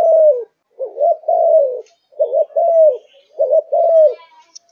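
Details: Caged Malaysian-strain spotted dove in peak singing form, cooing: low, mellow phrases of a quick double note followed by a longer falling coo, repeated three times with short pauses between them.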